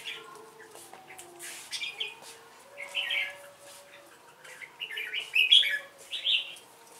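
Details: Red-whiskered bulbul in competitive song with a female decoy bird: scattered warbling, whistled phrases, softer at first then louder bright bursts in the second half, faint hum behind.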